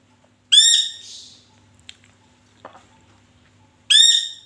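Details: Pet Indian ringneck parakeet, described as liking bangles but in a bad mood: two loud, harsh, rising squawks about three seconds apart, with faint household clicks in between.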